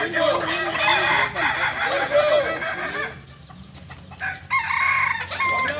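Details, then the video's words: At a kokok balenggek practice gathering in Solok, many roosters crowing loudly in a thick overlapping chorus, which thins briefly in the middle before fresh crows resume toward the end. "latberan ayam kukuak balenggek di solok"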